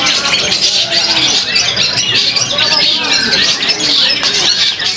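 A long-tailed shrike pours out a fast, scratchy, high-pitched warble of chattering notes with no pauses, over a busy background of other chirps.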